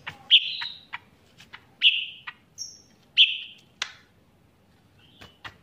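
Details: Cucak ranting bulbul, a caged songbird singing steadily with cicilin song learned into its repertoire: loud clear whistled notes separated by dry clicking ticks, each whistle starting abruptly and fading, with one high thin whistle between them.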